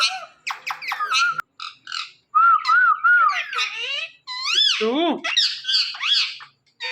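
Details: Indian ringneck parakeet talking on a Thursday night: a rapid, varied run of speech-like syllables mixed with short level whistles and wavering, arched notes, with brief gaps between phrases.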